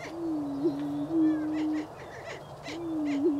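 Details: Greater prairie-chicken booming in spring in Wabaunsee County, Kansas: a low, hollow, moaning hoot held nearly two seconds, with a short upward lilt, then repeated. Faint chirps from other birds sound above it.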